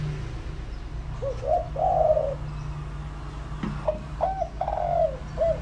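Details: Spotted dove used as a decoy, calling to attract wild doves: two phrases of mellow coos, each a short note followed by a longer drawn-out falling coo, with a low background hum.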